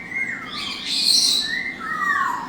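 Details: In a large indoor parrot-rescue bird room also housing Senegal parrots and an African grey, a hawk-headed (red-fan) parrot gives two drawn-out, falling whistled calls about a second apart over harsher high chatter from other birds.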